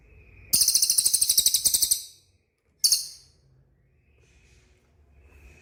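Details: Cililin song used to get caged birds to respond: a shrill, quick trill of about fifteen notes lasting one and a half seconds, then a short second burst, with a faint whistle and quiet background.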